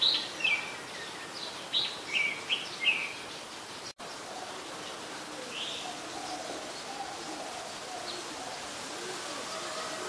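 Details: Adult red-whiskered bulbul recorded at Ubon Ratchathani, Thailand, on 3 January 2021: a burst of short, bright, chirpy phrases in the first three seconds, then quieter background with faint lower calls of other birds.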